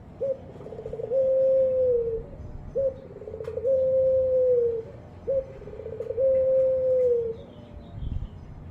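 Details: Three evenly spaced coo phrases from a ringed turtle dove, the pelung-style puter kept by Indonesian hobbyists: each a short upward note, a throaty pause, then a long steady tone falling away, about every two and a half seconds.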